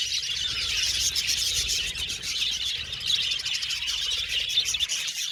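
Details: Cheerful budgerigar chatter: many overlapping shrill chirps and trilled squeaks forming a constant high twitter, ending abruptly just before five seconds.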